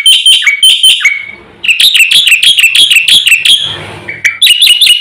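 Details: Black-winged myna in steady, fill-rich song that is said to rouse birds throughout the village: sharp ringing notes, then a rolling series of wavering downslurred whistles, a brief falling tone, and more bright repeated notes.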